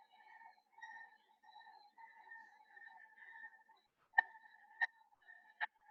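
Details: A turaco in Uganda gives a steady run of hoarse, nasal notes, roughly one and a half per second, with three sharp clicks breaking in near the end; described as a very vocal bird.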